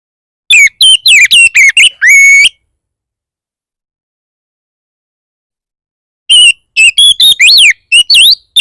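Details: Oriental magpie-robin provocation song meant to make other magpie-robins sing: a quick burst of varied whistles ending in a sustained note, about four seconds of silence, then another rapid whistled phrase.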